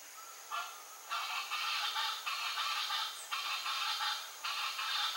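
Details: Chaco chachalacas (Ortalis canicollis) in the Pantanal give a loud, raucous chorus of harsh, grating phrases, rising and falling in bursts about every second, over a steady hiss.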